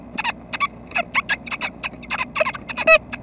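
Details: Nuthatches at their nest at 6:30 am on 25 May, thought to be about to leave the nest that day, give rapid, nasal, harmonic calls, about three per second, in overlapping chatter over a low rumble.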